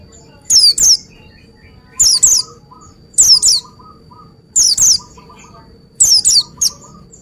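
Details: Oriental white-eye singing: loud, sharp high whistles sweeping downward, usually in pairs, in bursts repeated about every one to one and a half seconds, over faint twittering of other birds and a steady thin high hum.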